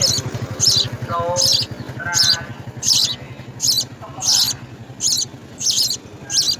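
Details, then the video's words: House sparrow nestlings in the nest begging while being fed insects: harsh, buzzy high chirps in a steady series, roughly two per second, over background music with low tonal notes. "House Spsrrow Feeds Insects to Babies"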